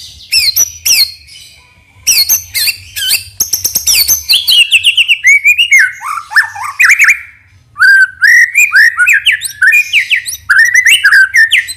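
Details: Murai batu (white-rumped shama) lure song, nembak isian style, meant to provoke other birds into singing: a long varied run of sharp chips, clear descending whistles and rapid warbled phrases with brief breaks, loud and close.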